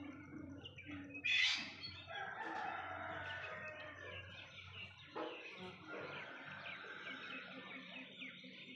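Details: Golden pheasant: one loud, harsh, rasping squawk near the start, over a steady background of chirps, twitters and low murmur from other birds.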